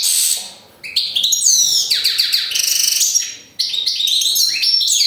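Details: Goldfinch song in quick liquid twitters and buzzy trills, sliding notes falling in pitch, delivered in three energetic bursts separated by short silences.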